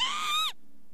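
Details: Northern lapwing's wheezy call, caught already underway. It rises slightly and ends in a quick downward slur, followed by quiet with a faint hum.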